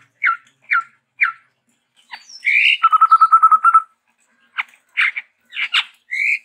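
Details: Chestnut-rumped babbler, called a Sumatran endemic, in active varied song: three downslurred chips, a brief squeal, a fast even trill of about ten pulses, then scattered sharp and buzzy notes.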